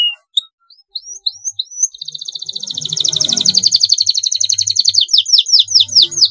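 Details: Long rolling canary song meant as a master for training other birds: scattered sliding whistles give way to a sustained rapid rolling trill, then a run of quick downward-swept chirps near the end.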